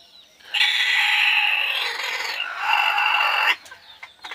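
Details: Local desi chicken on a cheaply built farm: a loud, drawn-out, raspy harmonic call in two long phrases of roughly one and a half seconds and one second, ending abruptly.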